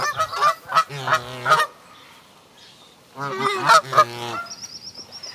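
Canada geese honking in two loud bursts of harsh, nasal, overlapping honks with a quiet gap between; a faint high steady whine runs near the end.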